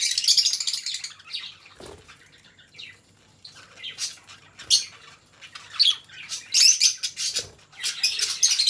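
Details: Two pet budgerigars chattering in loose bouts of harsh squawks and buzzy squeaks, separated by quieter murmuring stretches and a couple of soft knocks.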